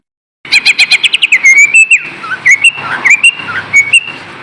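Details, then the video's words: Green leafbird song played to spur idle kept birds into singing: opens with a rapid run of bright chirps, then shifts into sweet, wavering whistles and short slurred phrases. "SUARA PANCINGAN BURUNG CUCA IJO AGAR TIDAK MALAS"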